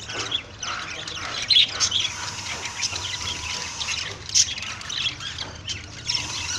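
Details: A budgerigar during mating chatters in a fast, scratchy warble, broken by sharp high squawks.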